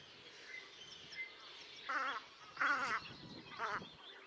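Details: Velvet scoter at Liepāja, Latvia, March 2024: after a quiet start with faint chirps, three loud, buzzy, wavering nasal calls come close together, the middle one longest.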